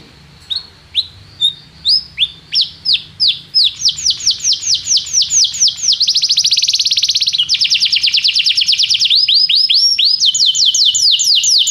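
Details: Canary song used as a tutor for a young canary: spaced downslurred whistles that speed up, then a dense fast buzzing roll and bright trills of repeated sweeping notes.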